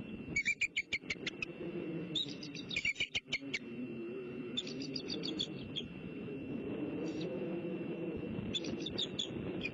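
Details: Female bald eagle on her nest in Southwest Florida at 2:42 am, 19 October 2015, calling out and answered by her mate while claiming the nest; quick high chattering pips in short bursts over a steady low night hum.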